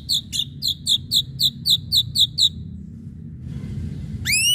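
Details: Ashy drongo in full voice on a sharp-striking pancingan lure track: a quick string of short, bright chipped notes repeating evenly, then a pause and a single upward-sweeping whistle at the end.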